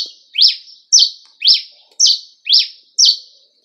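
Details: Cravina singing, a bird said to be good, from Rio Grande do Norte: six loud, high phrases, each a quick rising sweep then a level buzzy note, repeated about twice a second, with nothing else in the background.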